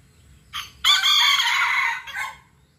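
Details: Serama rooster crows boldly: a brief rising opening note, a pause, then a long loud harmonic middle phrase of over a second, ending with a shorter falling final note. The background is quiet apart from a low hum.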